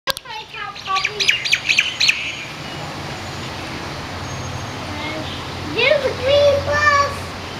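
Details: Common, chatty bird of Kaanapali on Maui, Hawaii, found in a parking lot: a quick burst of harsh, squawky, harmonic notes in the first two seconds, then quiet, then a few lower nasal, wavering calls near the end.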